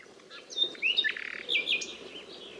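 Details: Short nightingale phrase: a high whistled note, then rising and falling slurs and a brief buzzy rattle, with soft background hum.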